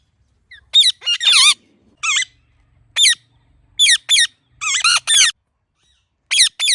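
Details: Ringneck parrot making natural chirping sounds: loud, harsh, rasping squawks in bursts of one to three, spaced roughly every second, against a quiet background.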